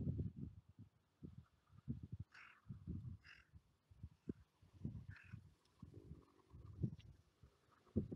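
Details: Carrion crows gathering on a UK seafront clifftop to be fed: a few rough, grating caws spaced about a second apart, then another, over steady wind buffeting and low rumble.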